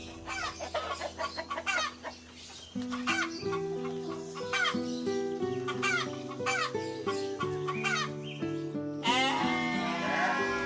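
Chicken clucks in short, abrupt bursts, repeated every half second or so, over steady background music.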